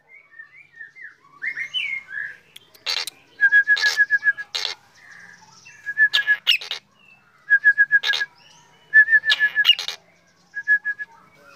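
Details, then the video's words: Black drongo singing actively in the morning: loud harsh broadband bursts alternate with short runs of evenly beaded whistled notes at a steady mid pitch, in phrases about every one to two seconds, with soft whistled slurs at the start. "Srigunting hitam gacor"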